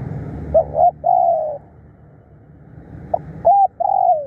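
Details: Decoy spotted dove, called fierce and a diligent caller, giving two cooing phrases of brief soft notes ending in a drawn-out descending coo, separated by a quiet pause.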